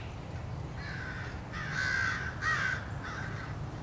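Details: American crows harassing a male bald eagle near the nest, March 30, 2016. Four drawn-out, hoarse caws, the middle two loudest, over a dull low-frequency background.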